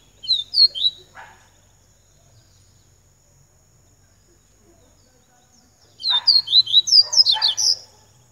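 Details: Double-collared seedeater (coleiro baiano) singing: a short burst of high, sharp downslurred whistles, a pause of several seconds, then a longer rapid string of bright slurred notes with a brief buzzy element, over a faint steady high whine.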